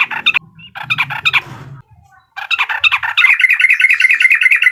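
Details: Sooty-headed bulbul in uklik song, used to provoke an opponent. Bursts of harsh, stacked chattering notes break off for a short gap, then a rapid, even trill of sharp chirps carries on to the end.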